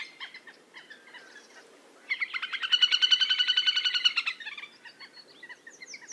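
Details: Little grebe call: a sharp, rapid whinnying trill of evenly spaced notes lasting about two seconds, preceded and followed by scattered short, high chips in a quiet setting.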